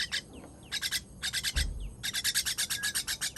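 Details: Nestling begging while being fed, 18 June 2023: scratchy high chirps in bursts, a brief low rumble, then an unbroken rapid run of rasping notes.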